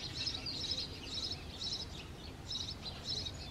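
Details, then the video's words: House sparrows breeding at a favourite clay nest on World Sparrow Day, 20 March 2022; the male chirps by the nest to attract a female. High, short chirps come in bursts about every half second over soft background noise. "House Sparrows Breeding on it's favorite Clay Nest"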